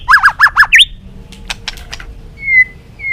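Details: Balak 6 white-rumped shama used to lure birds for catching: five quick, nasal down-up notes in a row, scattered clicks, then two thin, flat whistles.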